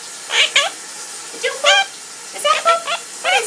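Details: A male pet parrot singing indoors while his owner showers: short harmonic whistled notes in uneven bursts, some rising and falling, over the steady hiss of running shower water.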